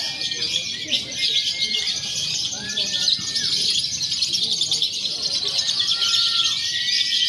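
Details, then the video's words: Lovebirds in a contest simulation (konslet, fighter, paud) used as training before competition; rapid, shrill trilling chatter throughout, broken by short downward-curving whistles. "SIMULASI LOMBA LOVEBIRD BEBAS AKSI (KONSLET, FIHGTER, PAUD)"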